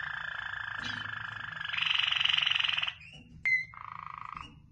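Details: Waterslager canary producing a loud, continuous rolled trill that rises in pitch midway, a sharp whistled note, then a lower rolled phrase that fades out.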